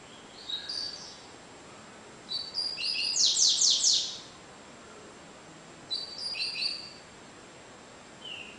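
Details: Coleirinho, the double-collared seedeater, in cigano-style song, said to average 30 songs a minute; brief chirps lead into a longer rapid buzzy trill of high notes, followed by shorter phrases after pauses, against a faint steady hiss.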